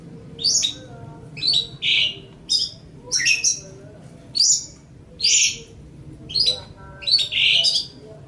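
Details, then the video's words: Long-tailed shrike song for training other birds: clusters of high, scratchy chirps and buzzy notes every second or so, irregularly spaced, with soft background hum. "Ocehan Suara Burung Cendet/ Pentet"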